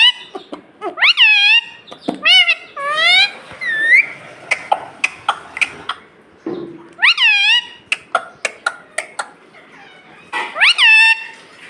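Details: Talking pet parrot that says "mummy". Repeated short, mewing, voice-like utterances over about twelve seconds are separated by clicks and taps, with loud bursts near the start, the middle and the end.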